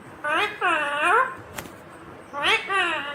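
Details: ['Green Indian ringneck parakeet mimicking speech: two bursts of quick, voice-like syllables with layered harmonics, split by a brief tap and a quiet gap.']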